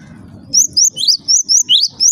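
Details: Java sparrow calling to prompt other Java sparrows to call: low murmur, then a quick run of seven high, clear chirps, several with sharply rising ends.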